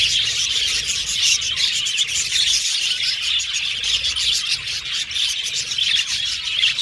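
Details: Many budgerigars in an aviary keep up a loud, even twittering, thin chirps and warbled squeaks blending into one continuous high chatter.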